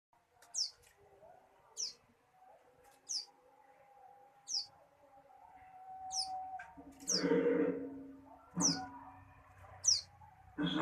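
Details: Hand-raised young bar-winged prinia, taken as a chick from a tree and reared until it could fly, giving short high descending chirps spaced about every second, with a low hum and brief louder noises later.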